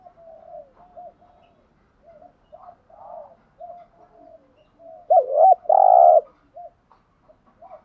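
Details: Lure cooing of a spotted dove, used to provoke wild doves into calling. Gentle repeated coos build toward one strong phrase late in the recording: a quavering double note, then a drawn-out gravelly coo and soft trailing notes.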